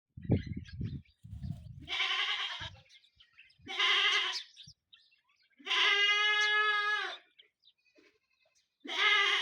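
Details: During a fight between peacocks, low thumping and scuffling are followed by four loud, nasal, drawn-out wailing Indian peafowl calls, each about a second long and a couple of seconds apart.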